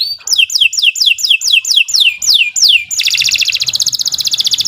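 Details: Canary song offered as a long, continuous tutor recording for training other birds: a run of loud, high whistled notes, each sweeping sharply downward, repeated about twice per second, then breaking into a fast, dense, buzzy high trill.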